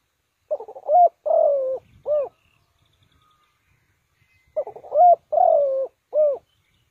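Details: Two cooing phrases from a spotted dove used as a lure bird for trapping: rapid stuttered notes, then a long wavering coo and a short rounded closing coo, with a quiet gap between.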